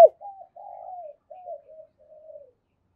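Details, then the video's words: Spotted dove used as a decoy to lure wild birds, giving a soft series of low hollow coos, about five separate notes that fade and weaken toward the end. "Tiếng chim cu gáy mồi gáy gọi bổi"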